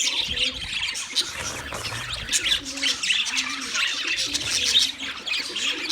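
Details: Wild budgerigar flock in continuous high chatter of squeaky, warbled chirps, while low, soft dove-like coos repeat faintly in the background.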